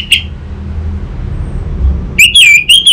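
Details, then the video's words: Lure recording of an orange-headed thrush from Singaraja, North Bali, for a raw bird: one brief high note, a pause, then a wavering, warbled whistle phrase rising and falling at high pitch. "Pancingan dan Masteran Burung ANIS MERAH Bahan, SuPaya Nyaut Ngeplong dan Singset"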